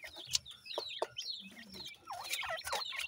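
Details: Brief burst of francolin (teetar) chicks: thin falling peeps then a louder cluster of looping chirps, with soft low clucking underneath.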